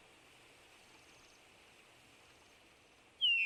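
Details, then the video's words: A Eurasian bullfinch (Pyrrhula) gives a single soft, piping whistle that slides down in pitch near the end, after about three seconds of faint background hiss. "bullfinch pyrrhula sound bird"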